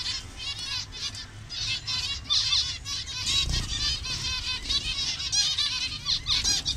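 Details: Dense chatter of a captive zebra finch colony in Bangladesh, colour variants together, with nasal trumpet-like calls overlapping almost continuously and a faint low thump midway.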